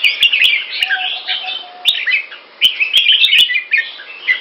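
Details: Loud, clear Pama Dha style song from a captive red-whiskered bulbul in Singapore, a busy stream of quick slurred chirps and whistles in short phrases, with crisp clicks and a faint low tone in between.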